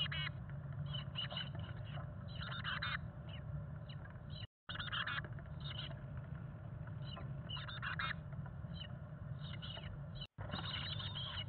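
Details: Chickadee young in a bird house on their fledging day, hatched May 17, 2022, with parents bringing food: scattered bursts of thin, high chirping calls, clustered in short groups, over a constant low hum inside the box.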